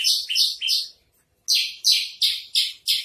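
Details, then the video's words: Javan bush lark, trotol song style: three buzzy descending notes, a short silence, then five louder rasping notes in quick succession. "masteran branjangan trotol"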